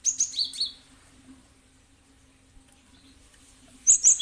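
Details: Cinereous tit (gelatik batu) played as a lure to prompt other birds to respond; a quick run of four high, thin chirps opens, then near silence, then two bright chirps at the end over a low hum.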